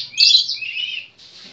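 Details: Oriental magpie-robin, called kacer, delivering a short sweet whistled phrase: a bright high note sliding into a lower drawn-out warble, fading to a soft trailing tone.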